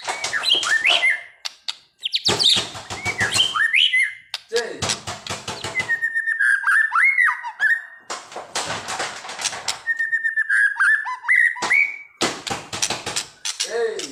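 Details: Agitated White-rumped shama, a caged bird, singing loud phrases of rich whistled notes and sliding upslurs mixed with harsh rattling bursts and clicks, with pauses between phrases.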